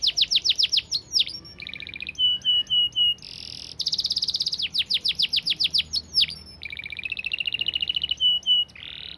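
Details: Fast, tightly packed canary song meant as a master recording for training: repeated descending sweeps, clipped flat whistles, a bright buzzy roll, and long rolling trills of rising and falling notes with hardly any pauses.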